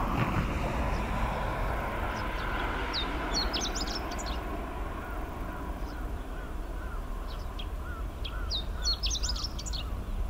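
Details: Chestnut-eared bunting song on 10 July 2019 at Hanaizumi, Iwate, Japan: two short, high jumbled phrases of quick chips about five seconds apart, over a strong low rumble of wind or distant traffic.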